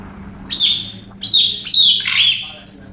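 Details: Excited female galah kept as a pet, acting crazy in a rare outburst while other birds look on: four loud, harsh, grating screeches in quick succession, each slurring slightly downward.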